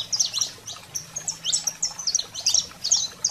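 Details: High saffron finch phrases of the 'fogo selvagem' (wild fire) style used to excite caged canaries: sharp chips mixed with short level whistled notes, delivered in quick uneven clusters about twice a second.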